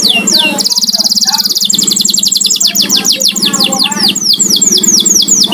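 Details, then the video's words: Home-kept canary delivers a loud varied song: a buzzy high trill, then series of quick downslurred whistles repeated in rhythmic runs, over a constant low hum. "burung kenari buat nemenin ngopi"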